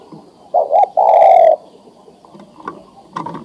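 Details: Adult male spotted dove ready to breed calling to a female: two quick coo notes followed by a long, level coo, then faint knocks and rustling.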